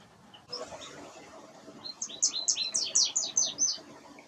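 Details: American goldfinch song from birds visiting cosmos flower boxes under windows to eat the seeds: a quick series of high, bright twittered notes, about a dozen in under two seconds, over soft background hiss.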